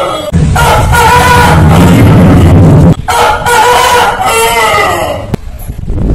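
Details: Rooster crowing from a compilation of long crows by many heritage chicken breeds: two drawn-out, loud, harmonic crows, each lasting over two seconds, with a steady low rumble underneath.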